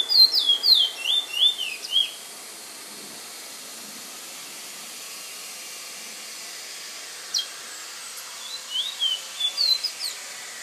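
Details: Owned bullfinch from San Fernando giving clear, rapid whistled warbles with swooping notes for two seconds, then quiet hiss, then another burst of slurred, twittering song near the end over a constant background hiss.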